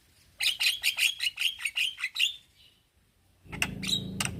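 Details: A male Javan myna, calling young companions, gives about nine evenly repeated harsh chirping notes, then falls silent before a few sharp clicks and a whistle over a sudden low humming background.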